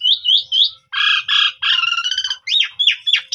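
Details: Asian pied starling of the pundung type in a phone-made lure recording for triggering song: lilting whistles, two rough buzzy notes, a stuttering harsh run, then quick rising and falling whistles.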